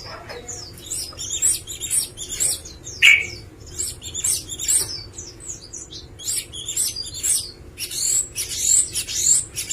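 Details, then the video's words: Varied Java sparrow song: a steady stream of thin, high, clipped chirps and tiny upslurred notes, bunched into irregular bursts across nearly ten seconds. "VARIASI KICAUAN GELATIK"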